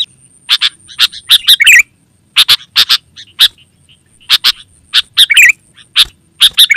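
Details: Sooty-headed bulbul (kutilang) used as a lure for wild birds and as a training master: clusters of sharp, clipped chip notes separated by short pauses, with a few bubbly warbled phrases and a steady faint high hum.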